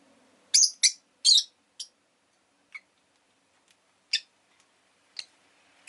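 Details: Rosy-faced lovebird calling with a quick burst of three loud, scratchy high chirps, then sparser single chirps fading in strength.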